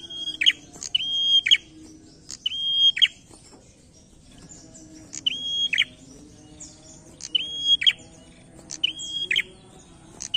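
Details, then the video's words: Prinia in chattering challenging song, with six phrases of a high held whistle and harsh rattling end, grouped unevenly with one longer pause midway; faint hum behind. "PRENJAK GACOR NARUNG"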